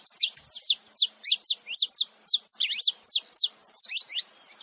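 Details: Male and female saffron finch calling together: a steady run of sharp, high, downslurred chirps, about three to four per second, overlapping at times, with no other sounds.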